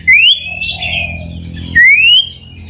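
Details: White-rumped shama (murai batu) song meant to provoke rivals: two loud, clear whistles sweeping upward, spaced about two seconds apart, with softer warbling between and a faint low hum beneath.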